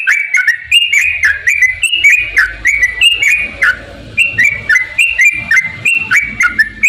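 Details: Yellow-vented bulbul in full, lively song, played as a lure for caged birds. Chattering whistled phrases of quick dipping and rising notes run without pause, over soft low rumbling background noise.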